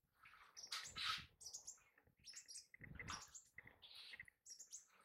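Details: A male green-tailed sunbird (Aethopyga nipalensis) gives bursts of sharp, high chittering chirps, clustered in short runs about every second with brief pauses between.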